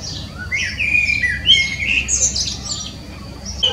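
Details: Melodious song of a common blackbird: a mellow fluted warble that breaks into a high, squeaky twitter, then fades to quieter thin notes.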